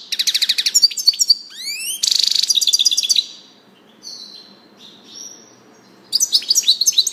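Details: Fast twittering trills from a European goldfinch are followed by a rising slurred note, a dense buzzy rattle and a thin drawn-out whistle, then the bright chattering song resumes.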